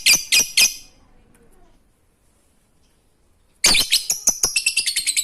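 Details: Lovebird ngekek song to prompt quiet lovebirds: three sharp raspy notes, nearly three seconds of silence, then a sudden run of quick chattering notes.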